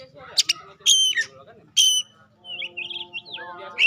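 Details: Oriental magpie-robin song as a lure for other kacer: loud sharp high whistled notes in quick bursts, then a twisting series of fast looping phrases and a final bright whistle; faint low hum behind.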